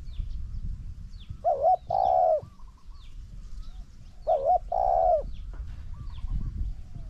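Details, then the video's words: Spotted dove, with a decoy bird challenging a wild bird that coos very well. A throaty hiccuping note and a long smooth coo are repeated twice, about three seconds apart. Fainter coos follow each phrase over gentle low background noise. "ต่อนกเขาใหญ่ นกเขาใหญ่ EP182 #เจ้าตัวตึงด่าน #มาลุ้นกับตัวตึงสู้นกป่า คูเก่งมากๆนกป่าตัวนี้"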